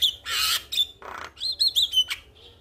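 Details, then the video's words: Male Javan myna calling to a female: a loud harsh hissing burst, a whistled note, a lower rasp, then a string of short bright whistled chirps. "Jalak Kebo Jantan gacor Memanggil Betina"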